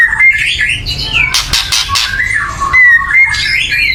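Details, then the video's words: Loud, agitated white-rumped shama chatter used to stir birds into singing: wavering whistled phrases broken by a dense rasping burst in the middle, then more slurred whistles. "kretekan keras murai / menaikan emosi agar bunyi"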